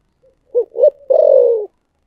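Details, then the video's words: Spotted dove singing 'giọng thổ sấm': a faint lead-in note, two quick coos, then one long tremulous coo that slowly descends, delivered close and clear. "chim cu gáy giọng thổ sấm chuẩn nhất"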